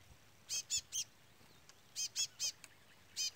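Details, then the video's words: A chestnut-bellied seed finch gives bright, high, rich notes in quick groups of three, with pauses of about a second between groups, while a chick calls constantly during an outdoor session cut short by heavy rain. "Curió Pardo cantoria Trola / Curió Pardo Trolinha"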